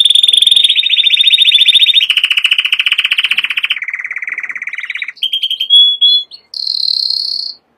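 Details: Canary song made of long fast rolling trills that shift down in pitch step by step, followed by brief whistled notes and a high buzzy trill at the end.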